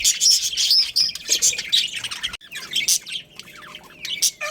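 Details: Domestic budgerigars, a breeding pair, warbling with quick thin whistles and sliding squeaks mixed with buzzy chatter, dense at first, then a brief break and sparser chirps before a final loud squawk.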